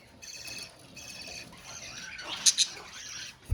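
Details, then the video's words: Budgerigars calling together in a colony: a dense, buzzy warbling chatter with stacked overtones runs throughout, broken by a few sharp, bright chirps near the middle and a short low thump at the end. "Budgies Sounds in Colony | Parakeets Sounds in Colony"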